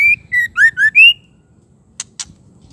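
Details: A female white-rumped shama calls to rouse males. A single brisk string of five ringing whistles: a level note, a slightly lower one, two dipping slurs, then a rising final whistle. Two sharp clicks follow.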